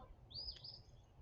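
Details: A phoebe, heard from a riverside deck one early May morning (3 May 2024), gives one short, high chip that rises then drops, over a low background rumble.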